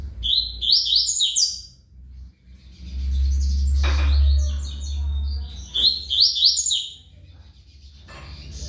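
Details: Tui Tui style song of a coleiro, a good singer: bursts of quick, high, sliding notes at the start and again near the end, with a loud low hum in between.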